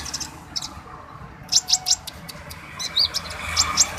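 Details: Orange-headed thrush, known as konin dacok, delivering short bright chirps and a quick high twittering phrase, with brief gaps between bursts and soft background noise.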